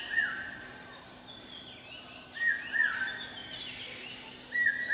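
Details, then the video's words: Brainfever bird, the common hawk-cuckoo, calling on a campus: short clipped phrases come at the start, twice near the middle and again at the end, with faint high twittering in the background. "Common Hawk-Cuckoo with his Characteristic Call पपीहा, पावश्या"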